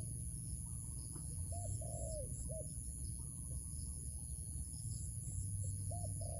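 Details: Trap-luring scene with a wild dove. Two short coos and a drawn-out descending note sound early, and a single hooked coo comes later amid low rumbling noise and a steady high tone.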